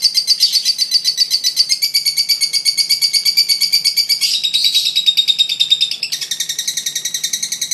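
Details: Fighter lovebird giving a long ngekek, a laughing call used to lure baby lovebirds: fast, high, sharp chattering notes at about three per second, running on without pause and stepping slightly in pitch.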